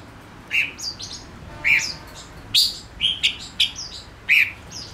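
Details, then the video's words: Male silver-eared mesia used as a decoy, singing a lively run of bright chirps and slurred notes, about ten in five seconds, irregularly spaced. "Chim ngũ sắc mồi hót cực hay kích bổi nhanh nổi | chim ngũ sắc hót | ngũ sắc trống"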